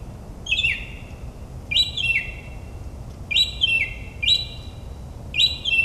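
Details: Mockingbird singing at night in New Jersey suburbs, mimicking other birds: paired chirped notes with a falling whistled tail, delivered in quick doublets, repeated several times over faint low hum.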